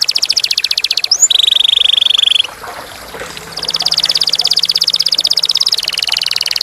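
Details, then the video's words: Canary with a clear voice singing fast, high, rolling trills of rapidly repeated notes, broken by a steady whistled tone and a short pause, then another long, even roll. "Kenari / Canary / Canarium ovatum (suara jernih)"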